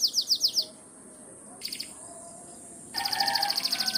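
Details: Morning canary song, described as calling the rain: a few bright, repeated high notes, a quiet gap with faint chips, then a loud, fast trill of rattling high syllables.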